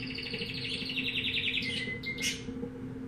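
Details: Canary of unknown breed singing a fast descending trill followed by a clear level whistle and sharp chips, with a low hum behind.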